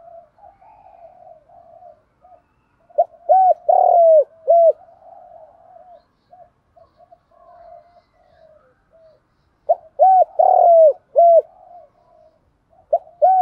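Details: Captive-training recording of spotted doves, male and female, used to prompt other doves to call. Two mellow cooing phrases about seven seconds apart, with quiet murmuring coos and soft notes in between.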